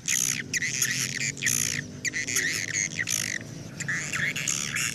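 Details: Swiftlet flock-calling sound, played outside to lure swiftlets to a nest house: bursts of dense, scratchy twittering chirps, some with falling sweeps, in rapid groups separated by short gaps, over a low steady hum.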